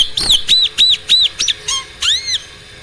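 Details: Starling singing as a provoking training recording; a series of arched whistled notes repeated about every third of a second, a short low note, then a double-arched whistle.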